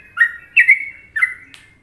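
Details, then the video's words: Trucukan-style song of an Indonesian sooty-headed bulbul: three quick, sweet whistled chirps with rolling downward slurs, ending in a faint soft click. "Masteran Trucuk Indonesia"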